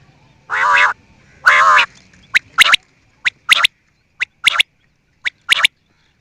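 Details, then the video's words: Quail gives two long, harsh, buzzy calls, then switches to quick doubled snapping clicks repeated about every second. "New and nice sound of quail"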